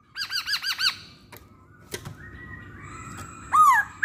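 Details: Masked laughingthrush lure song to stir other masked laughingthrushes into singing. Five arched, rich notes are repeated quickly, then a pause with faint clicks, a long thin whistle, and a loud downswept whistle.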